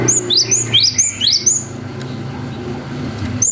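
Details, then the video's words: Cinereous tit (gelatik batu) singing its long 'wucit' song, played as a lure to stir young birds into answering. Six quick high upslurred whistled notes come in a fast run, then a pause and one more note. "GELATIK BATU GACOR WUCIT PANJANG"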